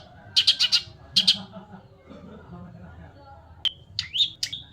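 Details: White-rumped shama singing: a burst of rapid rattling notes, then loud clear whistled notes, some sliding, with a person speaking faintly and low background noise.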